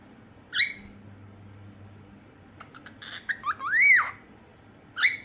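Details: Cockatiel giving a sharp squawk, a few short chirping notes, then a rising-and-falling whistled note, ending with another abrupt squawk, indoors with a faint background hum.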